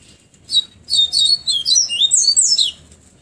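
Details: Bahia seedeater singing the flute-like tonzé style in the afternoon at Pero Vaz, Salvador: a rapid run of clear whistled notes sliding up and down, loud and continuous for about two seconds over a quiet background.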